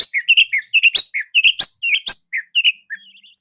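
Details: Short, dense, loud song of an orange-headed thrush used to train juvenile spotted thrushes; an unbroken run of varied high chirps, whistles and sharp ticks, packed closely and ending in softer twittering.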